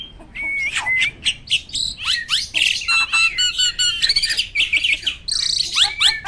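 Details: Prize-winning starling in captivity pouring out dense, energetic song: a flat whistle, then crowded chattering, squeaky slurs and bright high whistles with almost no pauses.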